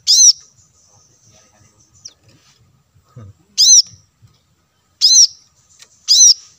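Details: Wild-bird lure of the plain-throated sunbird: four piercing arched notes, with a long gap after the first and faint low rustling in between.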